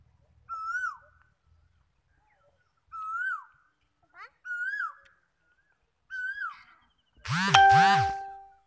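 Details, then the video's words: An Asian koel at Galsi gives four clear, mid-pitched whistled notes, each swelling up then dropping, about every one and a half seconds, and the sequence closes with a loud, harsh, ringing burst. "কোকিলের ডাক"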